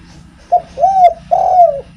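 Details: Actively singing spotted dove, kept as a lure to draw other doves: a short clipped note followed by two smooth, rounded coos, the second fuller and slightly falling, over a faint low background hum.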